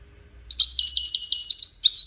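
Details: European goldfinch of the widaniya style competing against four others; a short, liquid, tumbling twitter of high notes delivered without a break.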